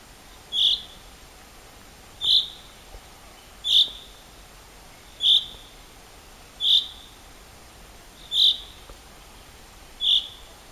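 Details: Recorded at Rogozyanske Reservoir in Kharkiv region on 4 April 2010: a single bird repeats one brief, piercing high chip seven times, evenly spaced about every one and a half seconds, in a quiet setting.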